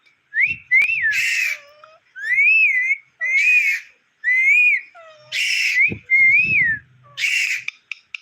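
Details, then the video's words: Pet talking parrot calling steadily while its owner asks it to ring a bell: about six looping whistled phrases, each fused with a rough, grating squawk, coming roughly every second. "কথা বলা টিয়া পাখি"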